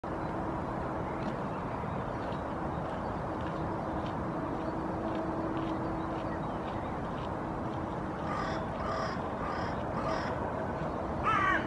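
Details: Hooded crows in Helsinki, Finland, April 2023, give a quick series of four harsh, grating caws near the end in the background, over steady rushing water or wind, with a male goosander on a rock.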